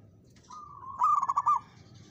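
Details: Local zebra dove song, a challenge to a rival: a quiet, steady low coo leads into a louder burst of four or five rapid stuttering cooed notes, then fades.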